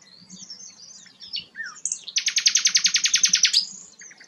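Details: Rare sikatan londo sings soft high twittering and a downslurred whistle, then a loud, very regular buzzing trill of around twenty pulses lasting nearly one and a half seconds.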